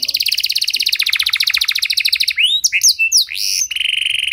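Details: Canary singing a long, richly phrased song meant to coax silent canaries into singing again: a rapid, high, ticking trill for two seconds, then sharp sweeping slurred whistles and a steady buzzy note.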